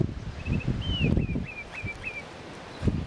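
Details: A Baltimore Oriole at midday on 5 June 2021 in Jean Louis Legare Regional Park, Saskatchewan, Canada, gives an unusual song: about six clear, high whistled notes, several slurring downward, over heavy wind and rustling leaves.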